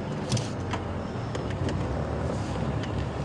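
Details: Steady engine rumble from a safari drive vehicle at sunrise, with a few soft knocks and clicks and no animal calls.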